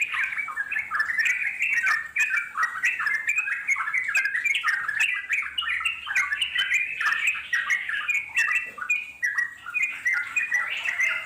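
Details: Long ngeropel song of wild yellow-vented bulbuls, used for luring wild birds into replying: an unbroken, busy stream of short warbled and chattered notes bouncing up and down at steady loudness throughout.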